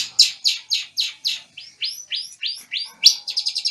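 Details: Long-tailed shrike from Banyuwangi, Indonesia, singing in full while moulting. It gives a fast run of high, sharp, downslurred chirps, about four per second, ending in a burst of quicker, clipped notes.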